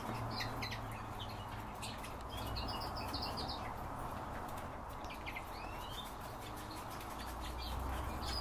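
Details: European bee-eaters calling: short, high, rolling chirps scattered through the recording, several overlapping as from a group, set against a steady broadband hiss and low rumble.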